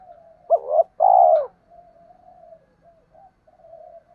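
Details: Spotted dove, recorded with male and female birds, calling to stir up wild males and train decoy birds: one low two-part coo, a short throaty note then a longer hollow drawn-out note. A faint steady hum follows.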